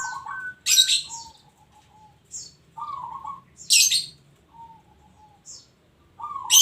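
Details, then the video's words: Actively singing local zebra dove gives soft, wavering coo phrases and drawn-out lower notes, while loud harsh high chirps from another bird break in repeatedly. "Bunyi Perkutut Lokal"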